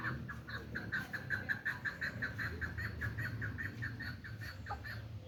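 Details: Hybrid chukar partridge, a hand-tame bird: a steady series of short, clipped notes repeated about three times a second over low background hum, with a faint slurred note near the end.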